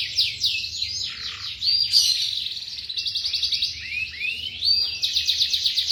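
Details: Young canary training song: rapid rolling trills alternating with swept whistled notes and buzzy rattles, about four units per second, bright and continuous over faint low hum.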